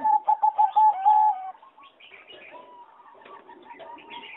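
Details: Singing zebra dove of competition breeding, caged in an aviary on 26 April 2014, gives a brisk series of short bubbling coos finishing in a drawn-out note, followed by softer twittering from other birds.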